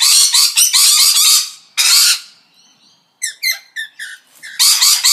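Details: Loud harsh parrot screeches in rapid pulses, then a short pause, a series of clipped rising squeaks, and another burst of screeching.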